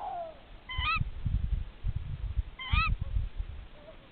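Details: At a checked nest, a tawny owl pair calls to each other: a fading low hoot at the start, then two shrill, upslurred ke-wick calls, with low rumbling and knocking noise throughout.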